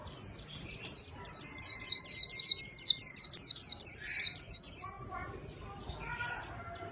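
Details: A white-eye gives a lure song: an opening chirp, then a long even run of shrill downward-sliding notes lasting nearly four seconds, followed by sparse softer calls.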